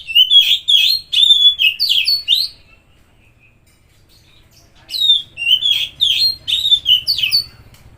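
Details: Two bursts of vigorous Oriental magpie-robin song, each of quick repeated whistled and scratchy notes about twice a second, split by a brief silence. The song serves to prompt a stressed or silent bird to sing.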